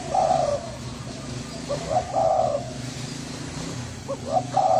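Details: Thai-strain spotted dove with a hoarse voice: a few low, rasping coos separated by gaps, the last phrases rising in loudness, over a persistent low humming background.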